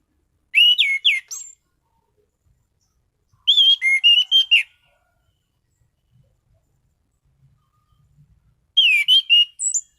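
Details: Orange-headed thrush, a caged song bird in steady full song, delivers three dense bursts of loud, varied whistles and sharp chips, each about a second long, separated by pauses of two to three seconds.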